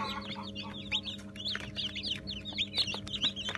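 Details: Newly hatched Brahma chicks, around 80 of them: loud, shrill peeps sliding downward, crowded and overlapping, over a steady electrical hum.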